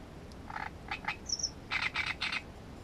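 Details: Great reed warbler filmed at its nest for breeding-behaviour study, delivering harsh, croaking song: grating broad notes in short blocks, a pair then a rapid triplet, with a thin high squeak between.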